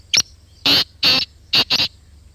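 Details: Black francolin (Kala Teetar) from Pakistan calling at close range: a short sharp click-like note, then two longer grating rasps and a quick closing pair of harsh notes, clear over a quiet background.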